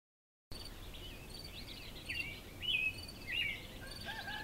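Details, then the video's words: An American robin sings at dawn before sunrise in spring (June 9, 2014), alongside sparrows and roosters: a few short, caroling whistled phrases, each rising and falling, about a second apart, over a steady background hiss. "American Robin Singing At Dawn In Spring"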